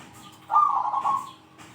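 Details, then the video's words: Zebra dove singing in the big 'kung' style and calling out rivals. A single mellow rolling coo lasts under a second, sliding slightly lower at the end, in near silence. "PERKUTUT GACOR SUARA KUNG BESAR ,,, PALING PANDAI MEMANGGIL LAWAN"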